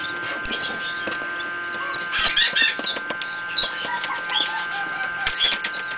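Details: Several pheasant chicks, just hatched in an incubator, keep up a busy jumble of high thin peeps and short down-curved chirps, mixed with soft taps and scuffles, while a steady hum runs throughout.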